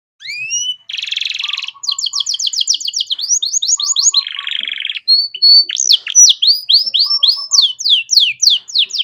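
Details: Canary master song for training songbirds in the luxurious cengkok mewah style. Rising whistled slurs, two harsh buzzy bursts, fast repeated sweeping trills and loud falling notes, with faint soft chirps beneath.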